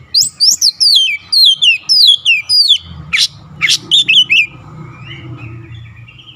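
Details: An oriental magpie-robin pours out its stock of learned song phrases: a rapid run of loud, falling whistles, then two harsh scratchy bursts and a few chirps before the singing fades into a faint low hum.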